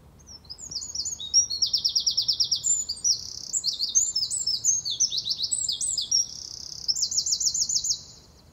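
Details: A Eurasian wren, one of the smallest birds with one of the loudest, most explosive songs, pours out a loud, high, rapid song of sharp notes and fast rattling trills, almost unbroken for about seven seconds.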